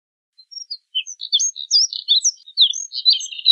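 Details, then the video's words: Moussier's redstart song building from a few sparse high chirps into a quickening jumble of scratchy, slurred twittering notes that grows louder toward the end; no other sounds. "Colirrojo Diademado Canto! Colirrojo Diademado Llamado! Voz! Sonido!"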